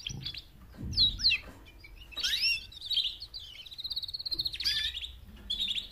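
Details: Four female canaries calling for mates, meant to prompt males to sing louder. Swooping whistled chirps, scattered twitters and a long high trill are heard, with some low background thuds.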